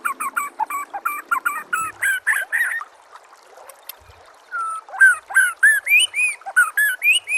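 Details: White-rumped shama song used as master material to prompt other shamas to reply; rapid harsh chattering notes, a brief lull, then a run of clear slurred whistles and rising phrases.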